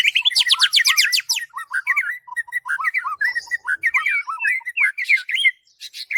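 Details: White-rumped shama song used as a master recording for training birds: rapid, varied whistled phrases, an opening run of fast buzzy repeated notes, then sliding and looping whistles in quick succession, loud and clear.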